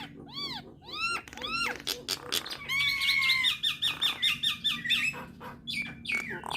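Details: Nias hill myna song used to make starlings sing: arched ringing whistles, then a long series of evenly spaced short whistled notes with a steady tone beneath, and a few harsh calls.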